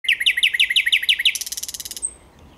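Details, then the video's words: Thrush nightingale song recorded 9 August 2022: a loud phrase of about seven repeated, clipped notes in quick succession, then a dense, dry rattle that lasts about three quarters of a second and stops abruptly. "Słowik Szary"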